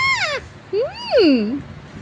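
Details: Pet parrot talking, mimicking words such as "mummy" and "Mithu": two tonal, voice-like syllables with smooth rising and falling pitch, the second a long arching glide, against a quiet room.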